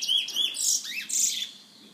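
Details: A pet bullfinch named Forty, kept by a member of a bird lovers' association in San Fernando, gives a quick run of high, thin, slurred chirps, some sliding up and down, then falls quiet.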